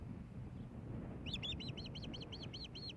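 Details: Wild osprey at its nest in Hellgate Canyon, Missoula, Montana, 15 May 2016, during a fish delivery by the male to his mate. Nine rapid, piercing chirps begin after a pause, evenly spaced, with constant low rumbling background.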